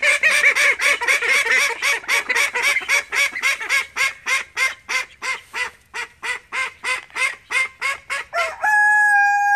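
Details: Call ducks, part of a home flock of thirteen, give loud, rapid nasal quacks in a steady stream of about three or four per second, the series ending abruptly in a smooth, steady whistle-like tone.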